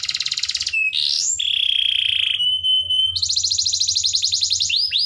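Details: Canary song used as a master recording for training young birds to sing actively and persistently: buzzy high rolls, a rising sweep into a long steady whistled tone, then a fast repeated trill and rising slurred notes.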